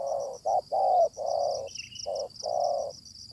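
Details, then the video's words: Wild, aggressive spotted dove answering a decoy bird during a luring session: a series of low, hollow coos, some short and some drawn out, separated by brief pauses, over a steady high insect-like buzz. "Pikat tekukur ketemu tekukur liar garang"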